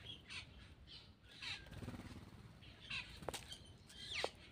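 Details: Black-winged myna while eating: scattered harsh, noisy notes with a few sharp whistled slides and a rising squeal near the end, amid rustling and faint background noise.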